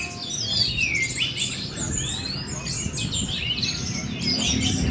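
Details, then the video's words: Four-month-old orange-headed thrush in teler song: fast, high, sweeping whistles and chattering chirps run together without pause over a steady low background hum. "Baru 4 Bulan Anis Merah Anjarmoro Telernya Seperti Ini!!"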